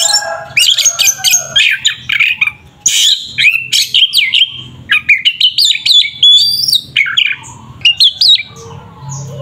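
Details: Oriental magpie-robin fighting song, meant to provoke a rival: a dense, nonstop stream of piercing whistles, harsh chatters and rapid slurred notes with only brief gaps.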